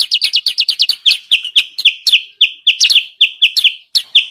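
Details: Sooty-headed bulbul chirps from a bird-trapping lure: a quick burst of tight, crowded notes, then spaced, falling chirps with short pauses between them.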